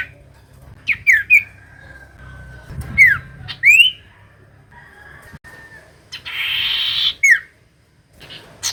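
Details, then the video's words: Common iora song meant to make a silent bird answer: scattered sharp slurred whistles, some rising, some falling, with a steady thin tone and a brief hiss in the background. "Pancingan Cipoh Gacor‼️Paling Manjur Burung Cipoh Malas Bunyi Langsung Nyaut"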